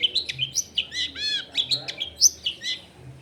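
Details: Energetic Long-tailed shrike song used as a lure to make quiet shrikes answer: a dense, rapid warble of mixed high chirps, slurs and a brief rolling trill, recorded near houses.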